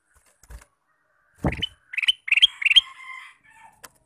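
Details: Male sooty-headed bulbul kept as a decoy for wild birds: a dull knock, then quick bright chirps in small bunches, followed by a faint trailing tone.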